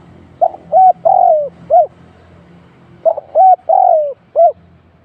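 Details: Spotted dove cooing while used as a trapping decoy. Two near-identical phrases about two and a half seconds apart, each stepping from a short note through arched hoots to a long descending croon, over low background rumble.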